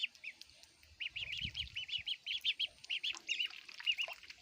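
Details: Little ducks peep continuously while eating food. Bright, rising-falling chirps come several per second, with a soft thud near the start.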